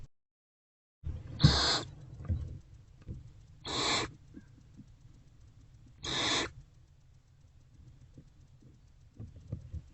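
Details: Owl box recording of a barn owlet eating a rodent, 29 February 2024 around 1 pm: three rough hissing screeches about two seconds apart, quieter, with soft rustling and a low background hum.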